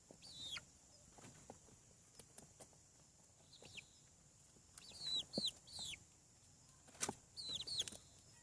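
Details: Hatching chicks on a farm peep quietly at first, then louder in the second half with clustered, high falling chirps and scattered clicks.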